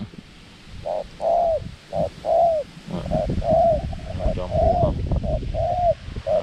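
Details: On a windy day, a decoy dove luring wild doves coos steadily: paired short and long arched notes repeating roughly once a second, mellow and mid-pitched, over a background of wind rumble.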